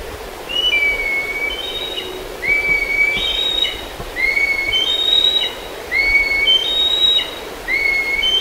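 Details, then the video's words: Black kite near Kemerovo giving repeated high whistled calls, each a short thin note followed by a longer drawn-out whistle, in bursts about every 1.7 seconds over a soft background hiss. "Чёрный коршун"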